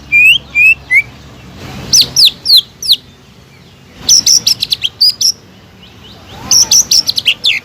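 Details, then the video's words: Lively caged greater green leafbird song, played as a lure to stir another bird into singing: varied whistled notes, some rising and some falling, delivered in bursts with brief gaps between phrases. "PANCINGAN CUCAK IJO GACOR EFEKTIF MENAIKAN EMOSI CUCAK IJO MACET BUNYI"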